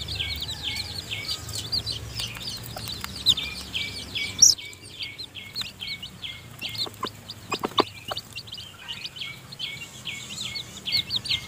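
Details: Newly hatched seven-tailed chicken chicks in their nest while the hen mother feeds them: many overlapping high, downward-slurred peeps repeat rapidly throughout, with a brief quieter gap near the middle and scattered sharp taps and clicks.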